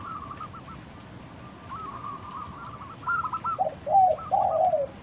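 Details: Zebra dove singing as a lure to make other doves respond: faint distant trilled cooing first, then louder close stuttering coos with low mellow notes near the end.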